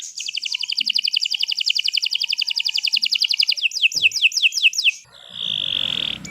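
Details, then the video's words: Canary in long, vigorous song: a fast, dense high trill for several seconds, shifting into a few quicker descending slurred notes, then a sustained whistled tone. "Kicau Burung Kenari 165 II LUAR BIASA GACOR PANJANG Cocok untuk Masteran"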